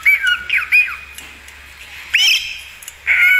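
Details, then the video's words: Budgerigar chirping: a few bright, arching squeaks with rising and falling sweeps, separated by short quiet gaps and ending in a longer buzzy note over a faint low hum. "SIULAN ISTIMEWA FALK/PARKIT AUSTRALIA."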